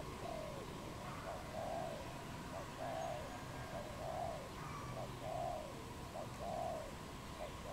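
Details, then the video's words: Wild dove recorded in Cambodia in April, cooing in a regular series: a brief clipped note then a fuller rounded coo, repeated roughly every 1.2 seconds, over a steady low background hum. "សត្វលលក | Dove, นกเขา"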